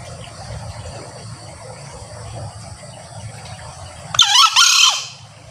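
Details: Male green junglefowl giving its crow, a call used for luring wild junglefowl during hunts: near the end a single loud, rasping, two-part call, short opening note then a drawn-out hoarse screech dropping away, with faint hum beforehand.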